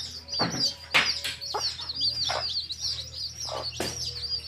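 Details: Several baby chicks in a field keep up a constant high, thin peeping chorus, broken by a handful of louder, harsher clucks from the hen and a soft low background hum.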